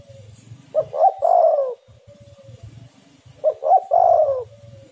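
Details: Spotted dove, called tekukur or derkuku, used as a lure to make other doves call: two three-part coo phrases, a short hoot, a higher note, then a long falling coo, with a faint low hum throughout.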